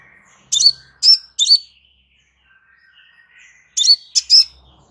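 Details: Crimson sunbird, used as a relaxed master recording for training kept birds: two bursts of short, high, sharp chirped notes with a thin whistled tail, three notes then a pause and three more, in a quiet background.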